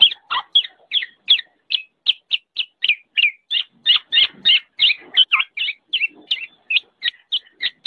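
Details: A training recording of the black-naped oriole (kepodang) gives a long, brisk run of bright chirps, about three a second, each a quick up-and-down sweep, with a few rasping notes mixed in.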